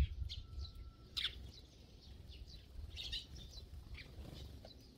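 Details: Sparrows in a feeding flock give scattered bright chirps, with a sharp louder burst near the start and another cluster later, over a steady low hum.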